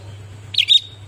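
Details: Sooty-headed bulbul, said to have been tutored with song recordings, gives one brief bright chirped phrase of two quick warbled notes over a steady low electrical hum.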